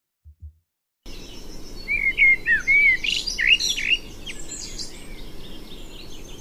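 A male Common Blackbird gives a brief mellow phrase of low fluted whistles, then breaks into thin, squeaky higher twitters, over a steady background hiss.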